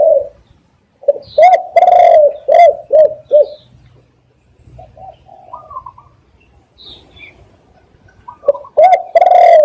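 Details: Spotted dove calling for use as a trapping lure: a burst of short, deep, resonant coos, a quieter pause with a faint softer note, then strong coos returning at the end.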